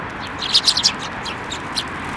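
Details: Feeding sparrows landing on an outstretched hand at a Tenmangu shrine, late December 2023: a quick cluster of four bright chirps mid-recording, then a single fainter chirp, over soft background noise.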